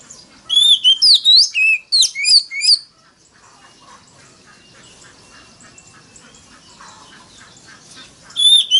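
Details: Oriental magpie-robin lure recording to provoke dueling song: loud, varied whistled phrases with sharp upslurs for about three seconds, then fainter chattering in the background before the song resumes.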